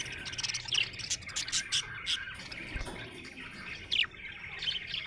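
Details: Budgerigar chirping happily, a busy warble of short bright notes with scattered sharper chirps standing out, one loud chip near the end, over a faint low background hum.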